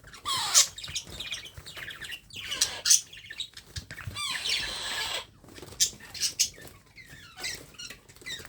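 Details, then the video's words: Hand-fed baby parrot calling in rough, high squawks and rapid rasping trills, some sliding downward, tightly bunched with short pauses and light handling noise. "How to Feed Baby Parrot"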